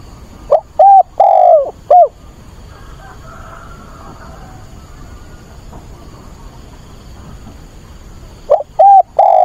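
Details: Decoy spotted dove, caged, singing on 24 August to attract a mate: a quick phrase of soft hollow coos with one longer drawn note, then about six seconds of quiet before the phrase starts again.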